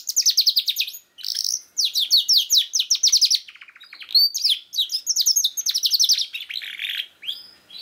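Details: Canary used to stimulate a young bird that is not yet singing: fast rattling trills of high, repeated downward strokes in several bursts, with brief pauses between phrases.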